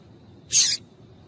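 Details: Female yellow-bellied seedeater calling to excite males: one brief, bright, very high chip, clear against quiet background hum.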